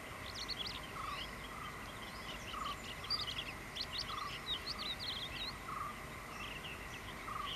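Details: Malabar lark singing in paddy fields at Aranthode on 17 January, pouring out a jumbled stream of high, twittering chirps, with a lower repeated note every second or so and a steady insect-like hum beneath.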